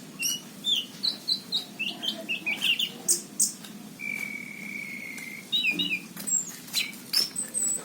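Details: Orange-headed thrush in full song, 2019, Cirebon: a rhythmic series of short whistled notes about twice a second, then a long, steady, level whistle held for over a second, before bright chirps resume.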